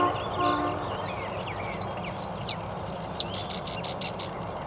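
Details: Sedge wren singing at Chikaming Township Park, Berrien County, SW Michigan: two or three sharp, high, dry chips, then a fast staccato chatter; faint other birds and low rumble behind.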